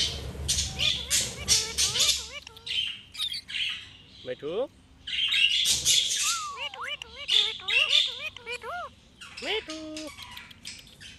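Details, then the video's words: Talking Indian ringneck parrot, a pet bird, mixing rasping squawk bursts with runs of wavering, voice-like warbled notes, a sweeping rising note and a few flat tones near the end; a steady low hum underneath. "talking parrot 🦜 पहाड़ी तोता बोलने बाला"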